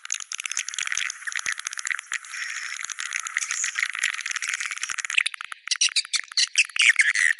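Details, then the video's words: Swiftlet chatter of the "Goa China" type: steady, rattling, high-pitched twittering throughout, growing into louder separate chirps over the last two seconds. "Goa China SUARA BURUNG WALET"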